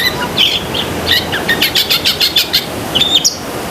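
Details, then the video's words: Long-tailed shrike singing vigorously, a recording meant for training pet shrikes: thin whistled notes near the top of the range, then a fast run of evenly spaced buzzy chirps and a final sharp rising note over a steady low rumble. "BURUNG CENDET GACOR ISIAN SEKEBUN"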